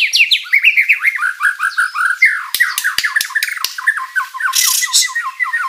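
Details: Rich mimicry-filled white-rumped shama song used to make rival birds answer: rapid descending slurred notes in quick succession, harsh squawky bursts midway and a noisy hiss near the end.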